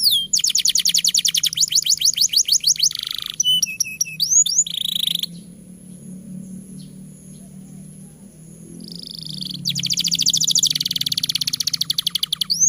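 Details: Canary in full long song, used to prompt young or quiet canaries to sing: rapid repeated high trills and sweeping whistled notes, a pause with a faint steady high tone, then dense trilling resumes.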